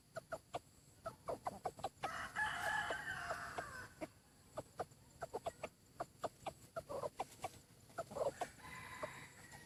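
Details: Decoy rooster noted for its good voice. Repeated short clucks come before and after a strong crow of nearly two seconds, and a fainter crow follows near the end.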